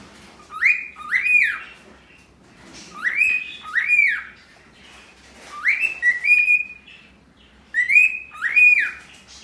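A cockatiel repeats a two-note wolf whistle, a rising note then a falling one, in bright pairs.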